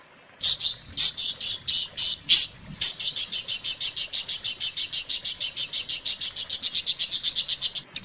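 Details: Long-tailed shrike tutor recording for training captive birds: several loud, uneven high chirps, then a steady rapid chatter of sharp, buzzy notes about twice a second, fading slightly toward the end.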